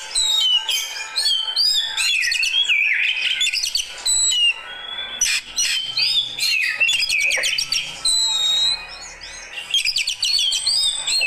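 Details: Kacer, an Oriental magpie-robin of fighter type, reacting with clear whistled notes, sweeping slurs and fast buzzy trills delivered in lively phrases with short quieter breaks.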